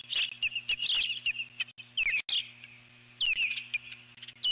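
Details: Nesting eagle alert-calling at an intruder near the nest, 12 July 2014: quick bursts of high, thin chirps and falling whistled slurs, a short pause, then more sliding notes, with a constant high tone and low hum beneath.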